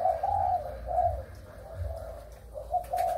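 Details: Breeding spotted dove of Malaysian and Thai stock, recorded 23 August 2021, giving soft, mellow coos in short rounded phrases, two-note units repeated about every half second with brief pauses, over a low background rumble.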